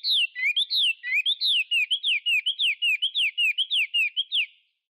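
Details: Chinese hwamei giving a quick run of loud downward-slurred whistles mixed with lower notes, the phrase repeated many times at an even pace before stopping.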